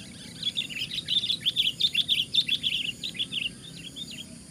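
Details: A Sooty-headed Bulbul sings loudly against rival birds: a fast run of bright chirping notes, nearly two per second, lasting about three seconds over a faint low background hum.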